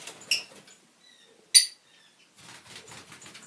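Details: Fischer's lovebirds, including lutino, albino and pastel colour forms, give two sharp, shrill, high chirps about a second apart over soft twittering and chatter from other birds.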